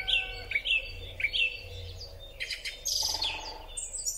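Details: Song thrush singing in spring, phone-recorded on a Huawei P30 Pro: a short slurred note repeated four times about every half second, then a harsh rattling burst and high thin notes, over a faint low hum.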